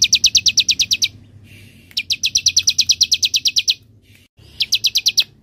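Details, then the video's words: Bar-winged prinia singing semi style, a lure to prompt other birds to sing and master material for songbirds: three rapid bursts of evenly spaced, piercing high chips with brief gaps between them. "Pancingan ciblek semi agar bunyi"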